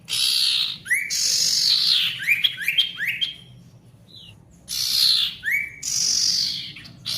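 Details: Ashy tailorbird song meant to restore singing in silent tailorbirds: loud buzzy hiss bursts alternating with quick upslurred whistled notes in short runs, steady low background hum.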